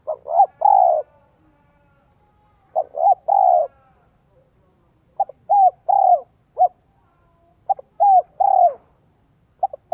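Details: Cooing spotted dove decoy calling wild doves, 'giọng son' voice: several phrases of short clipped notes leading into a longer low hoot, each phrase separated by gaps of one to two seconds.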